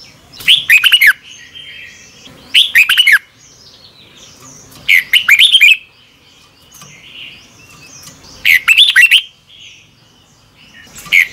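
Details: Lure recording of a red-whiskered bulbul's double-twist morning song: short, loud phrases of clustered, slurred whistles, each under a second, repeated every two to three seconds, with soft thin notes between.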